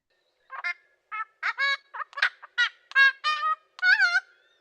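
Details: A noisy friarbird gives a run of loud, harsh, nasal notes, about a dozen rapid squawks and cackles in a burst, some rising and twanging.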